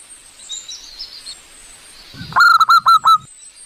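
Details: A single manggung phrase from a wild zebra dove, recorded for luring: five fast, rolling, harsh notes in a tight burst. Soft high chirping from other birds comes before it.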